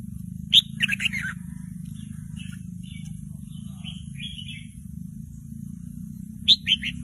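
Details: Young Red-whiskered Bulbul in a cage learning to sing, excited by a played song recording: a burst of sharp chirps, then soft scattered warbles, then more chirps at the end, over a steady low mechanical hum.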